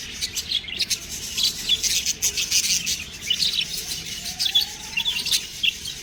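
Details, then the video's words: Budgie chicks produce a busy high chatter of sharp, scratchy chirps in uneven bursts, with a faint rising whistle near the end. "budgies babies| cute birds| chirping sound"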